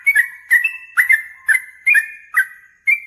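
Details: Yellow-vented bulbul responding emotionally to a rival, singing loudly: about seven full whistled notes with abrupt onsets and sustained level tails, roughly two per second.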